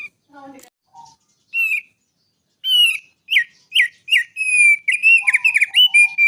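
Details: Bar-winged prinia, a mountain wild bird, in lively song: high sharp chirps and whistled notes, starting sparse with a few lower notes, then a fast run of repeated bright chips, some low whistles mixed in.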